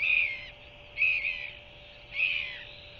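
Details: Newly hatched Royal albatross chick begging as its mother feeds it by regurgitation in the evening, 21 January 2023: three shrill, slightly wavering peeping calls, each about half a second long and roughly one second apart, over a steady low hum.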